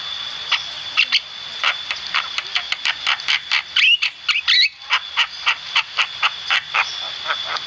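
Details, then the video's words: Javan myna in lively, persistent song: a steady run of short, harsh, noisy bursts, about two or three per second, with a faint thin whistle slurred in near the middle and a constant high tone underneath. "Masteran burung jalak kebo gacor"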